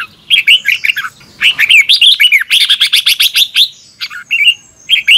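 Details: Red-whiskered bulbul morning song in the double-twisted voice style, used as a lure to train birds: loud, rapid bursts of bright whistled, warbling phrases with quick rising and falling notes and short pauses between phrases.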